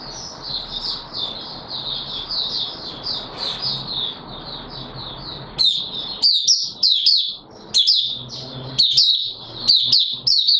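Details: White-eye of the Mata Puteh Raja type, kept caged and not yet at full condition, recorded 9 May 2022: a continuous high chattering warble over steady background hiss, turning into sharper, separated chirp bursts in the second half.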